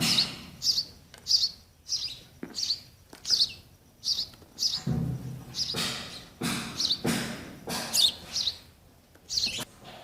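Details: Sparrow chicks waiting for mother and father to feed keep up a steady run of high chirps about every half second, with some rustling and low thumps.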